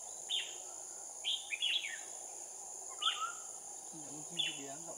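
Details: Caged red-whiskered bulbul used as a decoy at a trap, 7 January 2018, calling a wild flock down: brief sharp chirped notes in small bursts about once a second, constant insect whine behind, a man speaking at the end.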